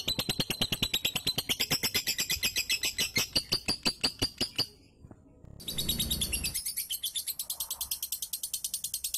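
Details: Lovebird prompt song for a lazy bird reluctant to do its 'ngunci' singing: rapid pulsed chattering trill, a short silent break, then a brief noisy thump before the fast high trill resumes.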